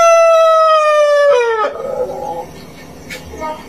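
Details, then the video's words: Rooster crowing in a yard: a loud, steady harmonic note held for over a second, then sliding downward and breaking off, followed by quiet background noise. "ROOSTER CROWING"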